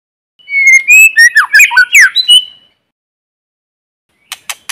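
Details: Forest White-rumped shama singing as a provoking decoy: a two-second phrase of rising whistles and rapid downslurred notes, a long silent gap, then three dry clicking calls, background clean.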